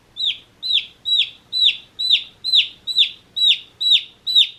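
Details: Chirping from day-old chicks: ten loud, high peeps, each sliding steeply downward, repeated at an even pace a little over two per second.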